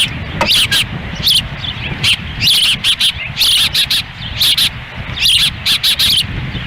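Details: A wild osprey pair at the nest in Lolo, Montana, June 10, 2017, the female feeding young in windy weather; piercing high chirps tumble out in fast repeated bursts, and wind hisses low in the background.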